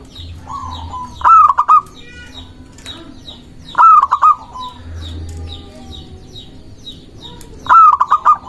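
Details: Zebra dove, a local bird, singing to lure others and challenge rivals; three staccato cooing phrases roughly every three seconds, each a burst of short pulsed notes ending on a level coo, with scattered high chirps from other birds.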